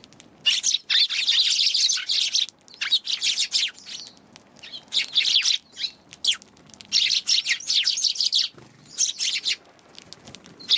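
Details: Busy chorus of Eurasian tree sparrows, January 11, with dense runs of scratchy chirps lasting a second or more, broken by brief pauses.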